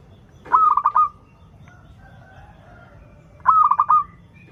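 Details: Zebra dove of local stock singing steadily, a song offered to young doves still learning: two rolling phrases of quick pulsed coos, with faint softer notes drifting between them.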